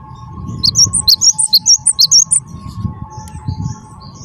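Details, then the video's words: Gelatik batu (Cinereous Tit), wingko type, singing vigorously: a rapid burst of about ten high, sharp alternating chip and whistle notes over a steady low electrical hum and faint rumbling background. "gelatik batu wingko gacor"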